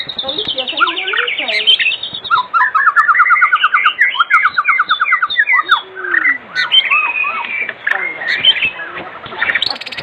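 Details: White-rumped shama singing in the afternoon, used as a lure to get other shamas singing: a rich, varied stream of whistled phrases, rapid descending trills and sweeping slurred notes, loud and nearly continuous.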